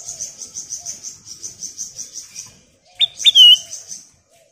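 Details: Bulbul lure call used to prompt other bulbuls to sing: a fast train of high, evenly pulsed chirps, then after a short pause two loud whistled notes, each sliding down and ending in a drawn-out whistle.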